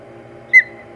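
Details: A single osprey whistle at the Hog Island nest on 4 May 2020, as a fight over the nest began: one short, bright chirp that falls quickly and fades, over faint steady hum.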